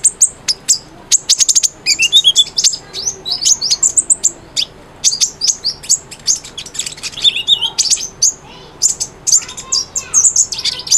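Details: Lively Cinereous tit singing to prompt a quiet bird into song: long stretches of fast, high twittering and ticking, broken by a few lower downslurred whistles, almost continuous throughout.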